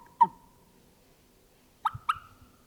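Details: Wild turkeys from a flock feeding across a ravine on a fall morning hunt: one sharp, short cluck, a long pause, then two quick clucks close together near the end, each abrupt with a brief trailing tone, over a quiet background.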